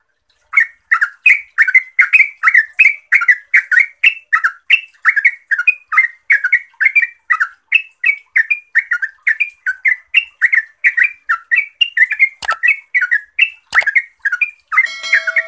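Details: Yellow-vented bulbul (Pycnonotus goiavier) lure recording meant to get silent captive bulbuls singing: bubbly, gurgling phrases in a steady, rapid run of liquid notes.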